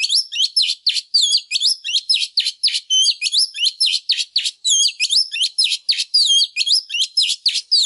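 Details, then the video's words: A female Oriental magpie-robin, used to stimulate males, sings nonstop and intensely: rapid, varied whistles and sharp chirps in tight bursts, about three a second, bright and high-pitched with no other sounds. "Chòe than mái kích trống HÓT CĂNG"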